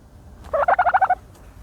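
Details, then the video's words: Turkey bathing in dirt lets out a single fast, throaty gobble, a rattle of about seven quick pulses lasting half a second. "the special noises of a turkey bathing in dirt"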